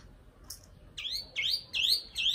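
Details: Nightingale gives a high sharp note, then four loud rising buzzy phrases repeated roughly every half second, over a low background rumble.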